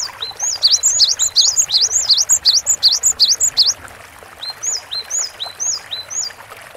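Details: Energetic tutor-style song of a Cinereous tit: a rapid string of high rising-and-falling two-part whistles for about three seconds, then a short pause and a slower run of sharp downward-slurred notes.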